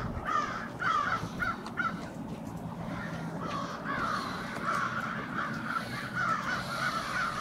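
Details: A flock of crows staging on a Brattleboro, Vermont street on 16 February 2021 calls without pause; rapid strings of raspy caws repeat about twice a second throughout, over a light hum of town noise.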